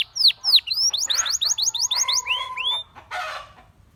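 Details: Gloster canary song with sharp downward sweeps, a series of repeated rising whistles, a steady low note beneath, and two brief harsh bursts.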